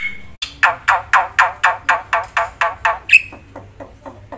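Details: Black-winged myna delivering a series of about eleven harsh, grating notes, roughly four per second, ending with a sharp whistle and softer chatter; full, energetic song used for luring and tutoring silent birds.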